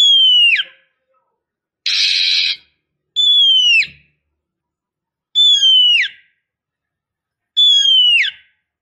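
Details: Female Oriental magpie-robin luring a male with a single clear whistle that slides steeply downward, repeated every two seconds or so, with one short harsh hissing burst among them.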